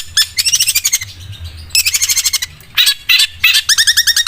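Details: A long-tailed shrike sings in a sewing-machine style, with fast stuttering runs of high buzzy notes broken by short gaps, ending in a quick rattling series over a low hum.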